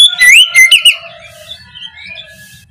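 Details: Oriental magpie-robin (kacer) in the morning, ngeplong lure song meant to make sluggish kacer respond: a few loud, clear whistled notes with up-slurred and down-slurred phrases, then a soft trailing warble with faint twitters behind.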